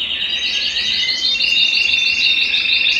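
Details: Belgian canary singing to warm up males and condition females for breeding, a continuous high trill of quick repeated notes holding steady, with a thin sustained whistle running beneath.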